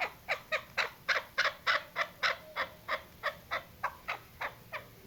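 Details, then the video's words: Female chukar partridge calling as a hunting lure: a fast, steady run of sharp clucking notes, roughly three per second, held through the whole passage against a quiet background. "chakor ki awaz shikari chakor keklik sesi hunting sound dasi madi female voice"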